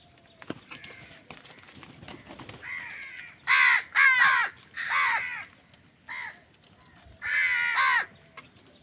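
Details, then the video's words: Crows fighting for food give loud, hoarse caws: a run of four or five rasping calls in quick succession, then a short one and a final longer harsh caw, with quieter chatter before them. "কাকের ডাক Crow Sound Crow ki Awaz Loudly | Crow bird Fight for Food"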